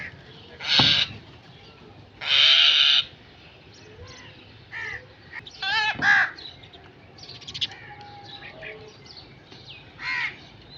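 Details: Crow caws, some harsh and drawn out, others short and scratchy, mixed with loud noisy bursts and fainter distant calls.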